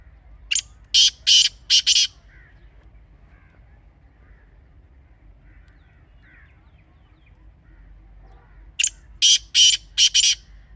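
Grey francolin giving two bursts of five loud, harsh, ringing notes in quick succession, separated by about seven seconds of near silence.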